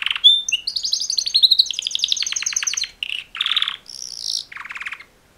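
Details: Male canaries singing mating songs, with a whistled opening note, a rapid descending trill, then short bursts of buzzy rolls and a high chattering phrase.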